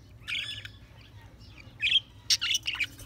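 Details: Budgies chirping: short bursts of bright, warbled chatter with quick rising and falling notes, separated by brief pauses, plus a faint low hum behind them.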